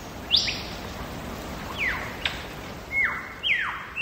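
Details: Lyrebird in the wild at Megalong Valley, Blue Mountains, Australia, giving scattered loud whistles that drop steeply in pitch, about four separate notes spaced over a few seconds against a soft bush backdrop.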